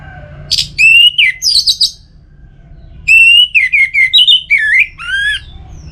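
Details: Cage-kept orange-headed thrush singing two bursts of rich, fluty whistled phrases with mimicking twists and buzzy notes, separated by a short pause, over a faint low hum.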